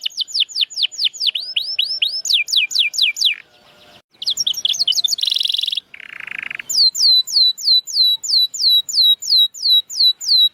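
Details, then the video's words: Canary song for coaxing silent birds to sing: series of sweeping downslurred notes, a pause, a fast trill with two buzzy bursts, then evenly spaced looping whistled notes. "Kenari Gacor‼️Masteran Handal Pancingan Burung Bisu Agar Cepat Gacor Lagi"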